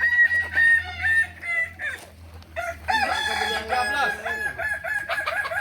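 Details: Kukuak Balenggek roosters at a practice crowing contest, Ampang Kualo, Solok, May 2024. Stuttering crows in short bursts pause briefly, then a dense, layered crowing resumes, with faint voices in the background.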